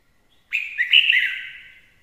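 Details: Red-whiskered bulbul singing: one loud, clear warbled phrase of rich, slightly buzzy notes rising and falling in a mid-high register, lasting about a second, with nothing else heard around it.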